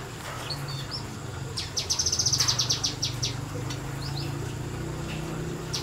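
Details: Kinoi bird singing in semi-wild conditions, a short 'nembak' burst of rapid, high, clipped chirps lasting about a second, with scattered thin calls around it and a low rural hum beneath.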